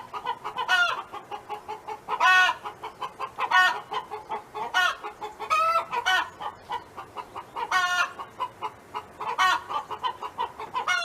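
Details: A neighbor's hen singing on a farm: a steady run of short, clipped clucks several per second, broken by loud, drawn-out, nasal squawks about every one to two seconds over eleven seconds.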